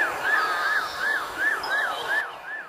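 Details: A common blackbird in an English town mimics an ambulance siren instead of singing: about seven arched, wailing whistles, each rising then falling, repeated roughly twice a second at a steady mid pitch.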